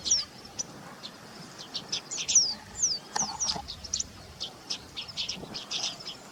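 White-browed meadowlark: a busy run of high, thin chirps and short falling whistles, several each second, over a faint hiss.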